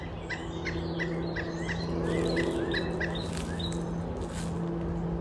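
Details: A Pileated Woodpecker foraging in backyard bushes gives short, clipped, mid-pitched notes in quick runs, about four a second, likely communicating with a nearby mate, not its loud typical call; steady low engine hum and faint high chips from other birds underneath.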